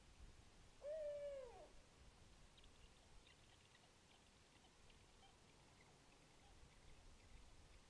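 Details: Barred owl (Strix varia) at its nest at midnight on April 11, 2022, during feeding of owlets: one drawn-out hoot that holds steady, then slides down into a hoarse trailing fall, with faint night background noise following.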